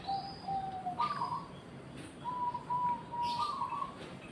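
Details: Soft zebra dove song of drawn-out level coos with a short higher phrase between, plus a thin high whistle near the start and faint chirps.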